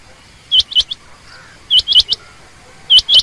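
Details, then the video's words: Female quail, common or rain quail, giving three bursts of short, sharp chirps with upturned hooks, two to four notes per burst, separated by pauses, with faint clicking noises in the background. "common quail/Rain quail sound)chinga batair ki Awaz)Звук самки перепела)صدای بلدرچین)صوت السمان"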